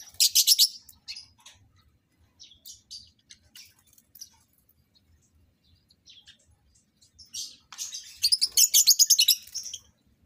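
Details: Lovebirds in a breeding setup, being matched for mating, burst into rapid, piercing chatter. Fast runs of repeated notes open and close the passage, with scattered softer chirps in between.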